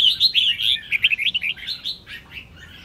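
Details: Singing female red-whiskered bulbul, calling to stimulate males: a fast, fluid warbled phrase of rolling notes that fades and slows toward the end.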